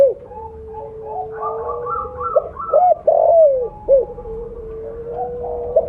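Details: Spotted dove with blorok plumage, used as a lure caller, gives a low sustained tone, then quick arched coos and a falling drawn note, while other doves coo faintly in the background.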